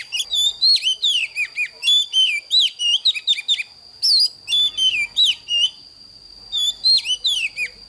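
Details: Oriental magpie-robin morning song for training young birds: strong descending and rising whistles strung into lively phrases, a pause near the end before singing resumes, with a steady high-pitched tone running throughout.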